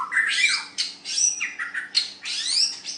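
White-rumped shama pouring out a loud, harsh, chattering song of rapid squawky and buzzy notes, with sweeping whistles woven in, over a faint electrical hum indoors.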